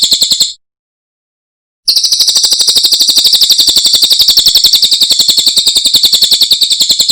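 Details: Masteran for cage birds from a Cililin: a short burst of rapid, high, pulsing notes, then a silence of just over a second, then a long, steady, fast trill.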